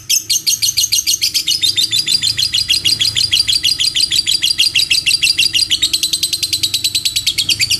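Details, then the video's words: Rapid, machine-gun-like chattering from a lovebird in a long ngekek panjang run, high, sharp pulses repeated several times a second without a break. "Suara Burung Lovebird Ngekek Panjang"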